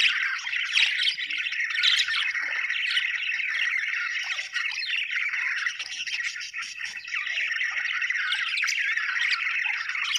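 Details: Budgerigars in a group, described as happy, chirping without pause: dense, warbling, scratchy twitters and chatter, steady throughout with no other sounds.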